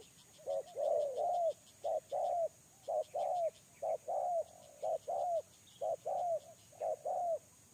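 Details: A spotted dove kept as a decoy for trapping gives brisk double coos, a quick note then a longer falling one, roughly once a second, over a continuous pulsing insect chorus.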